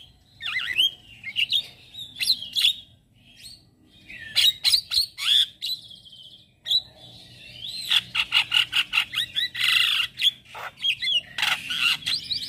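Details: Male Javan myna singing at dawn, used to lure and tutor starlings: slurred whistles and squeaky notes in loose phrases, pauses between, ending in a dense chattering jumble with sharp clicks.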